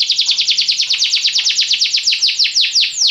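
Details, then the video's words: Belgian canary singing a lazy-style song: a steady series of downward-sweeping whistled notes, about seven per second, slowing slightly toward the end into longer, broader sweeps. "Canários belgas atraem o som das canções preguiçosas dos canários"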